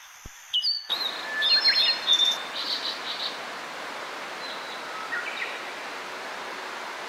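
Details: A spring song of a blue-and-white flycatcher, a summer visitor met in Hakone: after a sharp click, several bright whistled phrases and short buzzy notes are followed by a quieter, distant reply over steady background hiss.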